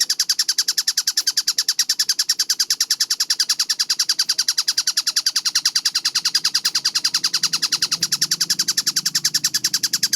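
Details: Kingfisher (tengkek buto) in a clear, tightly paced masteran: relentless evenly spaced chattering kek notes, high and harsh, running without a break, while a low hum grows slightly toward the end.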